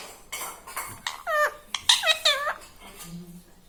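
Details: Talking pet parrot mimicking human words such as "Mummy" and "Papa". A few short, wavering voiced syllables come through in the middle, amid clinking of dishes and cutlery in a small room.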